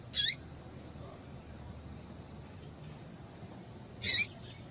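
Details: Single high, sharp chirps from a female double-collared seedeater, used to excite males, separated by nearly four seconds of quiet background hum.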